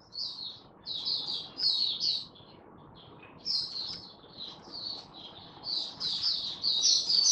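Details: Oriental white-eye in song display, 24 February 2023: quieter, high chirpy phrases in loose clusters, rising and falling in loudness, over a steady low background hiss.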